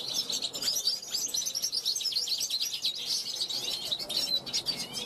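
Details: European goldfinch from 2021, a young caged bird rehearsing, calling to passing wild goldfinches from a balcony. A dense stream of quick, liquid chirps and trills flows without a break.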